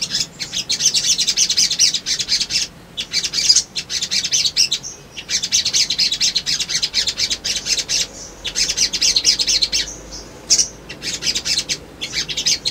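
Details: A sunbird (sogon), used as a lure to provoke other birds to respond, sings a rapid, very high, tinkling twitter that runs almost without pause, broken only by brief gaps every few seconds.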